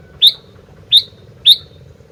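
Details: Sooty-headed bulbul singing energetically, giving three clear, identical sharp whistled chirps spaced roughly two-thirds of a second apart, with a low steady hum underneath.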